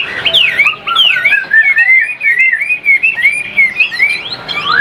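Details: Caged Chinese hwamei singing a continuous lively stream of clear whistled notes, swooping up and down, with short pauses between phrases.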